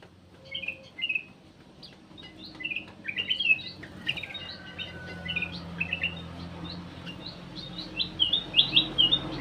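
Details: Black-crested bulbul lure call, scattered short chirps and whistled notes growing livelier toward the end into a quick twittering run, steady low hum underneath.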